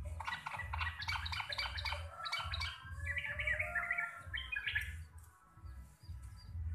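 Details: Javanese local sooty-headed bulbul in lively ropel song: quick chattering and warbled notes run together, then a few higher slurred notes, over a pulsing low rumble in the background.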